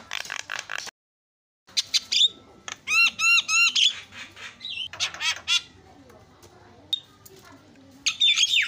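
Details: Javan myna song, a varied lure for agitating other mynas: harsh rasping notes, a short gap, then a quick run of ringing stacked whistles and more scratchy squawks with bright whistled accents.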